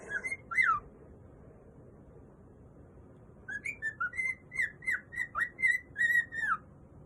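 A cockatiel whistles a short phrase, pauses, then runs through about ten quick, clear whistled notes that rise and fall, indoors with no other sounds.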